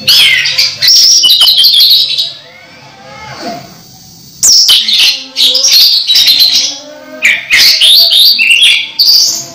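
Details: An orange-headed thrush about to moult, still singing actively, gives loud, rapid bursts of high whistles and chattering notes, with a brief quiet pause midway before the phrases resume.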